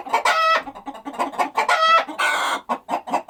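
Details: Chickens going about their daily activities on a countryside farm, giving short rhythmic low clucks with two louder harmonic squawks and a longer raspy cackle near the end.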